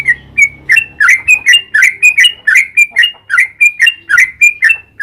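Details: Sooty-headed bulbul delivering long lively lure song meant to make other bulbuls answer: bright clipped whistles alternating with lower down-slurred notes, rattling along about four per second without a break.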